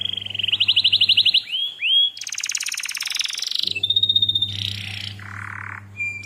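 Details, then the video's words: Canary master-training lure song: a pulsing buzzy trill, upslurred notes, and a loud dense rattle, followed by a whistled tone and nasal rolls, over a low background hum. "KENARI DENGARKAN SAMPAI HABIS, PANCINGAN MASTERAN, SUARA BURUNG CUIT CUIT"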